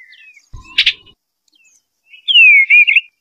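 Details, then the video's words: Eastern bluebird's melodious song: after a sharp click and a short faint note, a loud warbled phrase sweeps down then wavers in two quick bursts near the end. "Eastern Bluebird Call The Melodious Song"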